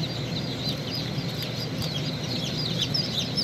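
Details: Chick hatching from the shell gives short, high, downward-sliding peeps in quick succession, with a constant low droning hum beneath.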